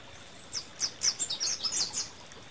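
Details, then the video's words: Rufous-capped warbler, a short run of about eight bright, high chipping notes in quick succession against a soft background hiss. "Canto de la Reinita Coronirrufa"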